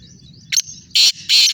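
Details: In Sindh, Pakistan, a black francolin calls with a brief scratchy note, then two loud, rasping, drawn-out blasts, over a faint thin whistle and low background hum.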